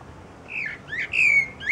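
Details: A thrush perched on a branch sings a brief run of clear whistled notes, about four slurred phrases in under two seconds, some falling and one long and steady, over a quiet background.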